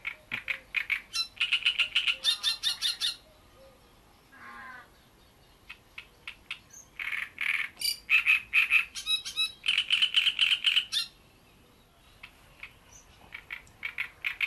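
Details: Great reed warbler at Bohdanečský pond singing long bouts of loud, grating, croaking notes in fast repeated strings, broken by brief pauses, with a soft churring note in between.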